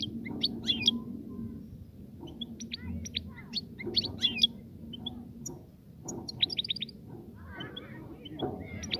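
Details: European goldfinch song meant to encourage a female to mate and build a nest: scattered bright, high chirps and twittery trill bursts in irregular clusters, with low background rumble throughout.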